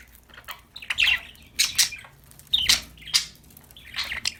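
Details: Happy, playing pet budgies chirp in scratchy, squawking bursts, several short calls spaced about half a second to a second apart over a faint background hum.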